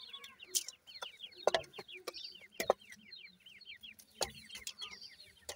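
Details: Irani teetar (francolin) chicks call with rapid, overlapping, thin downslurred peeps. Loud sharp clicks break in several times.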